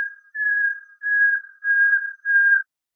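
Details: Common nightingale song segment from a tutor tape for training bulbuls: four long, steady, pure whistled notes on one pitch, each about half a second, separated by short gaps, on a silent background.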